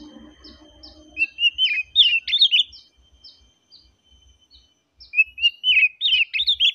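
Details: Relaxed song of an oriental magpie-robin: two bursts of rich, rolling whistled phrases separated by a pause, with thin high chirps in between and soft low chatter at the start.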